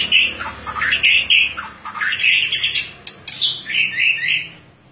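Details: Murai batu (white-rumped shama) singing loudly in ngeplong style during morning dew exposure, searching for a rival: bright, high warbled phrases in quick bursts, separated by short pauses, in a small room.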